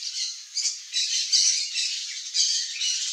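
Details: Blue-and-yellow macaws feeding on a ripe mango in the Brazilian Cerrado, giving harsh, raspy squawks in a continuous run of rough bursts, with no other clear sounds.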